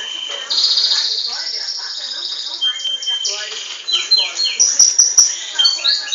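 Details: Captive-bred Belgian canary singing, partly answering a playback of its own song as if trying to outdo it: long rapid trills and rolling phrases, some harsh, some pure whistles, shifting pitch with dense overlapping notes.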